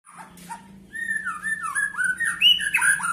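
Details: White-rumped shama singing a rich run of clear whistled notes, sliding up and down and rising toward the end, with a steady low hum underneath.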